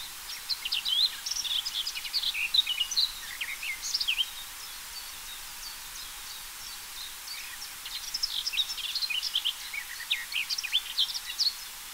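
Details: Garden warbler song, fast, even, high warbling phrases in two long runs of several seconds; filmed June 13, 2024.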